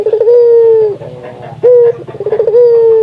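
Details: Local Indonesian puter dove giving a lively call used to stimulate other doves to call: a long, steady, mid-pitched coo with a stuttering pulsed lead-in, then a short clipped note and another pulsed, drawn-out coo, all loud and clear indoors.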